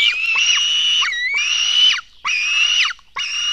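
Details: Black stork young begging as they are fed at the nest, 04:53 on 24 June 2016: loud, harsh, wheezing screams repeated almost back to back, four drawn-out cries split by short gaps.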